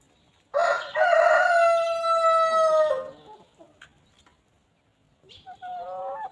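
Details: A rooster in a free-roaming farm flock that grazes and pecks in the countryside lets out a long, ringing crow of about two and a half seconds. After a short pause with faint bird chirps, a second crow begins.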